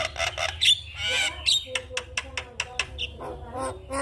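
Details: Javan myna morning song, used as a lure to spur mynas that have stopped singing: harsh broadband squawks and rapid clicking notes mixed with short high whistles, delivered in uneven bursts, with a low hum underneath.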